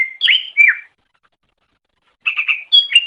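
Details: Greater green leafbird song from a master training recording for songbird keepers: two bursts of clear whistled, slurred notes with falling glides, split by a silent gap of over a second.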